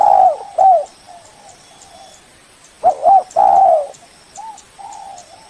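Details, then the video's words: Spotted dove lure call for attracting a rival: loud coos open, soft murmured coos follow, then a second loud phrase of two quick hooked notes and a long coo, ending in quieter trailing coos. "Suara burung Tekukur pikat paling ampuh, memanggil lawan"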